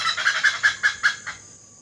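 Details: Great hornbill in Assam, India, giving a quick run of about seven harsh, nasal barks in just over a second, fading at the end. No other sounds.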